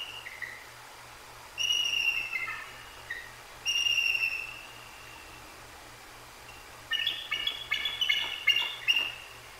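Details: A bald eagle pair at the Decorah North nest on 2 January 2024 calls after a great horned owl strikes the sleeping female. They give thin, high, downslurred piping whistles, then rapid squeaky chattering, over a low hum, before settling back to sleep.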